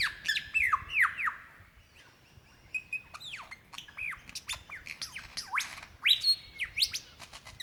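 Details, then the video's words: Lyrebird calling to a prospective mate in the Dandenong Ranges, Victoria, February 2016: a lively stream of swooping whistles and sharp clicks, a short pause, then more looping, falling whistles. "sounds of a Lyrebird calling for his mate"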